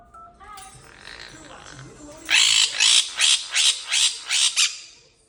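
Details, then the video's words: Noisy pet parrot giving loud, harsh squawks, about seven in a rapid burst, after a person speaks to it. "Noisy Bird"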